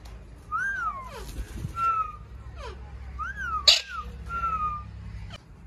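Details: Pet Indian ringneck parrot, also known as Kashmiri Raw parrot, kept as a hobby bird: two arching, whistled notes, flat sustained whistles, and quick descending slurred notes, with soft room hum underneath.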